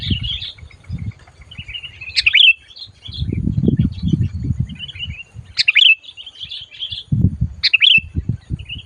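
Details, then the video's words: Loud, fierce calling of a sooty-headed bulbul being lured for trapping. Harsh explosive chirps stand out from a quiet chattering trill. Rumbling handling noise sits low beneath. "SUARA BURUNG MACIT DISAAt DIBAWA MIkat"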